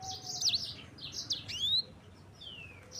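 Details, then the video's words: Yellow-fronted canary (sanger) singing as a lure for other songbirds: a few sharp high whistled notes and a rising slur, then a long descending whistle after a short pause. "Kicauan Sanger Gacor Roll Juara"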